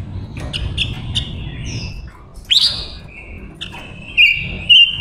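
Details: Female Silver-eared mesia used as a decoy to lure wild males, giving short chirps then a sustained warbling phrase with a sharp burst midway and a bright trill near the end, over low rumbling background noise.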